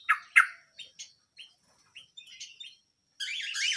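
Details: Canary singing vigorously: scattered short chirps and brief upward whistles spaced across a few seconds, ending in a dense, loud burst of rapid warbling.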